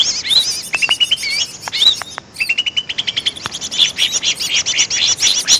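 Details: A Greater green leafbird lure call: a lively, unbroken stream of high chattering notes, bright whistles and quick rising slurs, with no other sounds.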